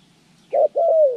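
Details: A single two-part coo from a spotted dove being trained for bird trapping, recorded January 14, 2020: a brief note, a short pause, then a longer, smooth, slightly falling coo, loud and clean against faint background.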